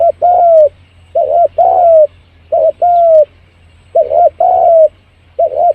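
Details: Spotted dove cooing, played to attract birds fast: five phrases of a quick doubled coo plus a long, gently descending coo, ending on a lone short doubled note; soft constant hum beneath.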